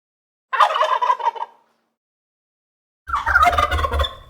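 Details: Turkey gobbling in two rattling, throaty bursts about a second long each, separated by a pause of roughly one and a half seconds; the second burst sits over a low rumbling background noise.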